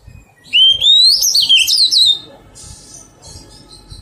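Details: Wild-caught Oriental magpie-robin being tamed, giving one loud, clear whistled phrase of about a second and a half that rises and warbles in a high register, followed by soft, quieter twittering.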